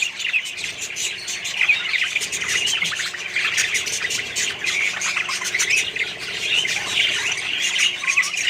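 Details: Australian budgerigar colony housed with other birds, giving continuous bright chirping and scratchy warbling from many callers that overlap without pause throughout.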